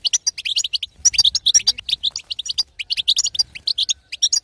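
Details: European goldfinch female, batbata style, used to stir a quiet male to song: rapid high twittering with quick liquid chirps and buzzy notes packed into steady runs across the clip.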